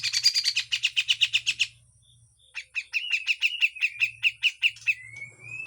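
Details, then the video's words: Rapid harsh chatter from a grey-cheeked bulbul in full besetan song for training, then after a brief pause a long series of regular sharp chips, ending in a rising whistled note. A faint low hum is heard in places. "MASTERAN CUCAK JENGGOT FULL KASAR DAN BESETAN"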